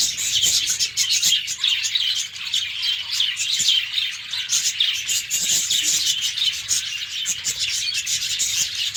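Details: Pet budgerigars in their cage in the morning, housed with lovebirds: many birds chattering together in rapid, overlapping high tweets and buzzy warbles that run on without a break.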